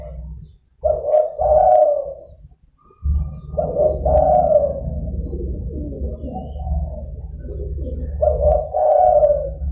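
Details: Spotted dove used as a lure for wild doves, giving low, drawn-out cooing phrases that repeat with short gaps, over a steady low hum.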